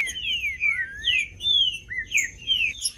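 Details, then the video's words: Green-winged saltator singing to get other saltators going: a loud continuous phrase of rich, slurred whistles that slide down and up without pause, ending on higher notes, with faint low hum beneath. "MELHOR TRINCA FERRO PARA ESQUENTAR TRINCA FERRO COM TRINCA FERRO CANTANDO"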